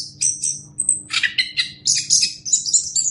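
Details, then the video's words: Orange-headed thrush song used as a master recording for teaching other birds: rapid high, varied phrases of whistles and harsh chattering notes, with a faint low steady hum underneath. "Masteran Anis Kembang"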